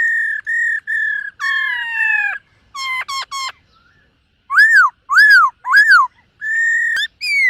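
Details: Silver-eared laughingthrush in a morning voice-training session, singing while dancing: a run of level whistles and a gliding downward note, brisk clicks, three arched whistled notes, then more steady whistles.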